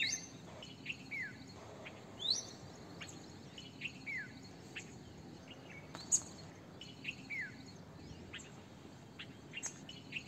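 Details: Red-vented bulbul, also called Indian bulbul: short clear whistled notes and quick downslurred chirps scattered through the recording, with other bird chirps and a steady background hum.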